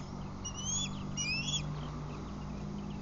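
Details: Ospreys at a Lake Murray nest, 11:07 am on 16 July 2020, as a female catches a fish and another osprey races her to the nest; two quick sets of thin, high, upslurred whistled chirps over a steady low hum and noise.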